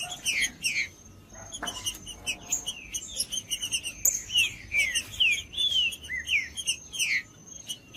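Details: Wild green-winged saltator in the bush, sound meant to stir a cold captive bird: scattered clicks at first, then a quick run of loud downward-slurred whistles in the second half, with a constant high-pitched whine behind.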